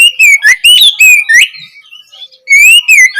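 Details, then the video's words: Oriental magpie-robin opening song, played as learning material so young kacer start singing. A dense run of quick, sliding whistles and sharp chirps, a short pause, then another bright whistled phrase. "Awalan suara Kacer bahan belajar gacor"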